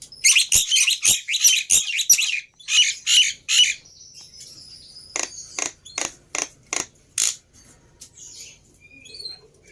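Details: Black-winged myna lure song, used to prompt a silent caged bird to start singing: a fast run of harsh, buzzy chattering bursts, then a sparser series of sharp clicking notes with a few thin whistles.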